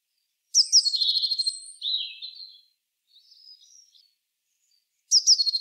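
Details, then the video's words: Eurasian blue tit song with high introductory notes and a rapid trill sliding lower into a buzzy ending, some soft twitters after, and a new phrase starting at the end. "Herrerillo común (Cyanistes caeruleus) Canto."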